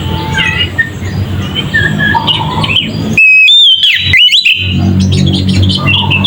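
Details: Oriental magpie-robin 'ngeplong' song played to provoke rival birds. Mostly a low, noisy background with faint whistles, interrupted midway by about a second of loud, clear, looping whistles and quick chirps.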